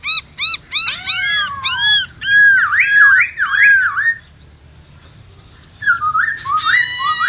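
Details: Song of a White-browed laughingthrush, forest-voice style with many voices: clipped repeated high notes speeding up, then looping rising-falling whistles, silence, and a final pair of phrases.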